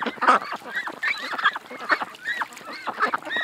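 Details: Ducks at a creek give a rapid series of nasal, slightly honking calls, each note rising then dropping, repeated several times a second over background noise.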